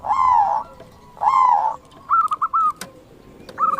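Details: Wild zebra dove: two drawn-out, slightly wavering coos, each about half a second, followed by a few short clipped notes at the same pitch, with faint sharp clicks in the background.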